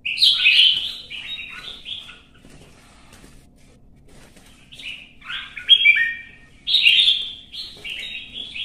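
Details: Red-whiskered bulbul in a singing contest in Vietnam: a loud burst of bubbly warbled notes, a quiet gap of about two seconds, then further emphatic slurred phrases, strongest near the end.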